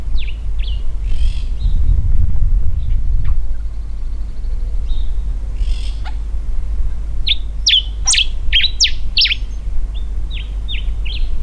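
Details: A common diuca finch gives its territorial song from a high perch in carob woodland in Mendoza, Argentina: bright, whistled notes in short bursts ending in a quick run of sharp phrases, over a steady low rumble of wind.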